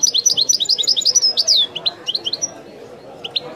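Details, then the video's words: A European goldfinch sings fast, bright, high twittering chirps, then a long down-slurred note and a few scattered chips that fade toward the end. "chant de chardonneret تغريد الويداني الأصيل"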